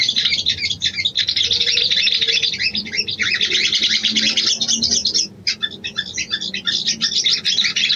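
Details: Female sooty-headed bulbul calling a male as a mating lure, with a long, dense run of rapid, high, scratchy chirps, one brief break past the middle, then the chatter resumes.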